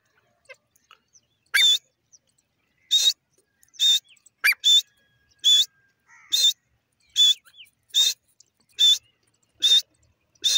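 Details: Grey francolin (teetar) calling: loud, sharp, shrill notes with a whistled tone, repeated about once a second at a steady rhythm, separated by silence, with a few faint clicks between.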